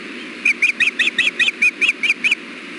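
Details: Osprey at a nest camera, recorded during a fish delivery as the male shares bites with the female: a series of about ten sharp, clipped whistled chirps repeated rapidly over a steady background hum.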